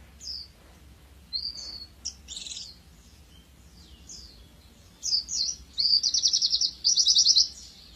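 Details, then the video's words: Oriental white-eye (pleci dakun) used as a master song for training. Thin, scattered high whistles build into loud, rapid buzzy trills near the end, over constant low background noise. "Kicauan burung pleci cocok untuk masteran gacoan anda"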